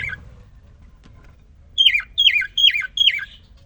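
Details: A male cockatiel, kept alone for three days, sings right after a female is introduced: four quick, matching whistled phrases sliding from high to lower in a warbling twist, about three per second, in a quiet room.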